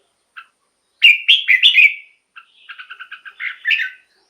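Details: Red-whiskered bulbul song meant to excite caged birds: one soft chip, a loud warbled phrase of four rich notes, then a rapid run of paired chirps ending in two louder warbles.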